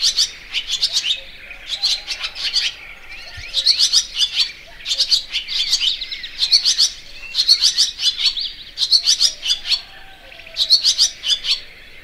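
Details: Layang2 Asia, the barn swallow, sings clustered high chirps in regular bursts, each burst a fast string of sharp notes, spaced about a second apart.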